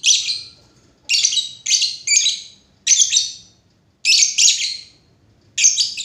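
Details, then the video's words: Lovebird calling steadily with loud, grating high chirps, mostly paired notes repeated about once a second, against quiet background hum. "lovebird // burung cinta"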